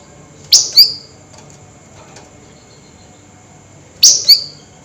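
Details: Flameback chattering by night, agitated and vocal: two paired calls about three and a half seconds apart, each a quick double of harsh, high, squeaky notes with a brief trailing whine. Little else is heard.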